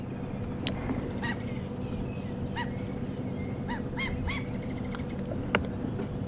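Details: White-crowned shrike alarm calling at a leopard on a dark, gloomy December morning safari drive, even dive-bombing her: scattered nasal, squeaky alarm notes, about six over a few seconds, over a steady low vehicle engine rumble.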